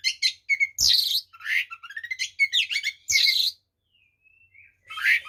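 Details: White-rumped shama singing a full, varied fighting song to provoke rival shamas: rapid sequences of whistles, trills and harsh noisy bursts, two sharp clicks, and a thin sustained whistle before a final phrase.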